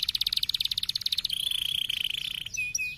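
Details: Canary stimulating song, softer and dense: a rapid rattling trill, then a steady high trilled tone, closing with a few clipped chirps.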